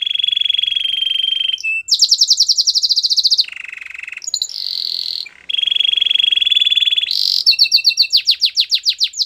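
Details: Training song of a canary: a chain of fast rolling trills at shifting pitches, including a lower rattling passage, closing with quick swooping notes.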